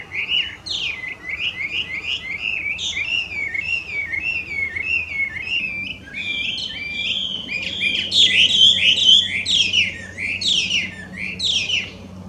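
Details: Chinese hwamei, an invasive introduced wild bird in Japan, singing loudly: a rich run of varied whistled phrases, slurred and repeated notes rising and falling, growing louder and denser toward the end, with faint low background hum.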